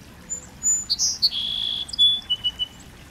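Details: A singing bird: a few short high chirps, then a bright burst of sharp notes leading into a long, steady, high whistle, followed by quick clipped twitters fading out; quiet background.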